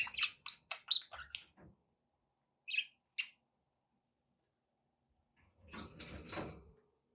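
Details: Pet budgerigars give a quick series of sharp chirps and warbles, then two isolated chirps after a pause, and end with a longer scratchy rustling burst.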